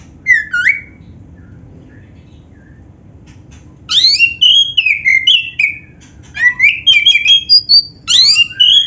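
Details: Oriental magpie-robin of the black-breasted form, kept as a songbird, gives a slurred whistle, falls quiet for about three seconds, then breaks into rich rapid song of sweeping whistles, chirps and warbled phrases; faint steady hum behind.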